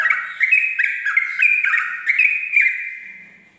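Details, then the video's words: At dawn, a Sooty-headed bulbul gives ropel-style song used for tutoring birds: a quick run of bright whistles, each high note dipping to a lower one, repeated steadily before trailing off. "pancingan trucuk ropel subuh"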